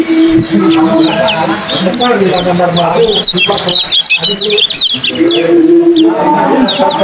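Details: Yellow kecial competition bird singing in a speed contest: dense, fast series of sharp high chirps and trills through the middle, with human voices and chatter throughout.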